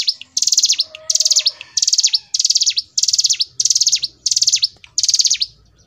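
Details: Energetic 'gacor ngebren' song of a hill prinia: a steady run of eight high, buzzy, rapidly ticking bursts, roughly one every 0.6 seconds, each ending in a sharp downward flick.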